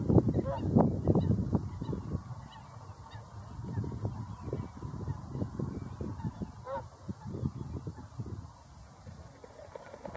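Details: Whooper swans giving nasal, trumpeting honks, loudest in the first two seconds, over a steady low rumble and dense, overlapping calls from many birds.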